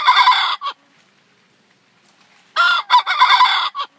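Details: Rooster used as a decoy for trapping, crowing: the tail of one crow is followed after a two-second silence by a full, harsh, stuttering crow of several bursts.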